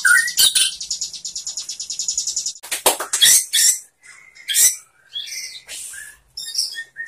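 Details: Shama song meant for teaching captive shamas: a fast buzzy high rattle, then sharp clicks and scattered high whistled phrases with short pauses.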